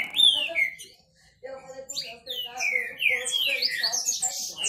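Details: Green-winged saltator males in competition. A bright whistle glides down, a short pause follows, then long falling slurs and high sharp notes pile up from several birds at once.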